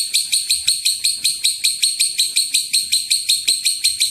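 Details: Long ngekek chatter of a lovebird, played to provoke other lovebirds to call; piercing high scratchy chirps, about eleven in quick regular succession with no pause.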